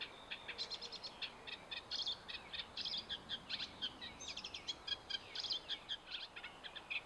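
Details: Singing reed warbler at Knepp Wildland's Hammer Pond: a lively, jerky chatter of scratchy notes and sharper chirps, bunched into short clusters with brief gaps, steady for seven seconds, soft hiss beneath.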